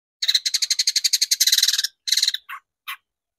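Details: Long-tailed shrike lure recording meant to rouse shrikes into singing: a fast, rattling harsh chatter of evenly spaced notes lasting under two seconds, a short second burst, then two lower single rasps.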